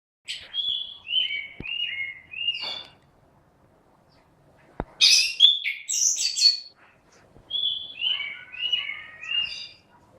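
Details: Caged orange-headed thrush in full, loud song: clear whistled phrases stepping down from high to mid pitch, a burst of rapid varied notes midway, then the descending whistled series again after a short pause.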